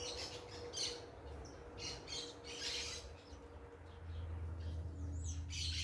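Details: Parakeets making noise in a natural setting. Short, harsh, chattering bursts come in irregular clusters, with occasional thin whistled notes over a steady low hum.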